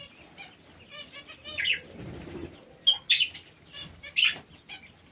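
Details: Aviary parakeets making several loud, rasping squawks and a sharp, rising chirp, spaced about a second apart, over soft fluttering and a brief low thud.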